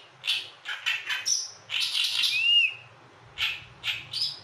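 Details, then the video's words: Harsh, raspy chattering notes from an Oriental reed warbler, given in quick repeated bursts, then a long loud scratchy phrase carrying a smooth arched whistle, followed by more rough chattering notes after a short silence. "oriental reed warbler"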